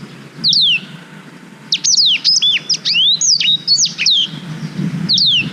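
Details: Black-throated canary song used for schooling young canaries, filmed with a GoPro Hero 5. Separate downward whistles bracket a long, rapid, jumbled phrase of high slurred notes and chirps lasting about two seconds.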